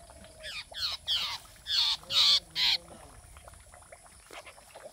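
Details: A baby spiny babbler gives five loud, harsh, raspy begging calls in a quick run, each about a third of a second long, over faint background chatter.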